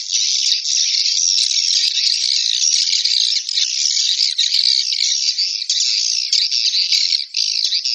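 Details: Swiftlet chorus: an unbroken wall of shrill, buzzing chatter from overlapping calls, loud and even throughout.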